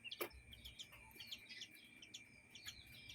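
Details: Young chicks with adult chickens in a yard and coop, scattered high, thin peeps repeated irregularly every fraction of a second over a steady background hum.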